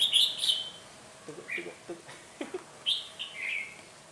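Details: Trapping red-whiskered bulbul, a decoy singing fiercely in a fight on a cold windy day, 17 February 2020: loud high whistled phrases opening and closing, with low clicks and knocks between and people's voices around.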